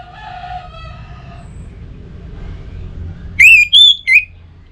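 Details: Orange-headed thrush lure song for home-kept birds: a faint low harmonic crowing tone fades, a pause, then three loud ringing whistled notes, the middle one high and level, the last dropping.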